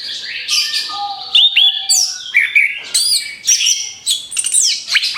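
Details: Orange-headed thrush song used as a lure for other birds: a rapid, varied run of high chirps, slurred whistles and sharp notes, with a few lower drawn-out whistles beneath, packed with barely a pause.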